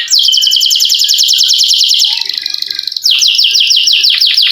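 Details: Canary singing a long rolling song, used to prompt quiet canaries into singing: fast repeated downslurred notes, about three per second, then a buzzy trill and a new series of sharp descending whistles.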